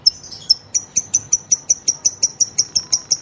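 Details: Female lovebird, whose long song serves to provoke other lovebirds into singing; here it gives rapid, evenly spaced high ticking notes, about five per second, steady and unbroken throughout.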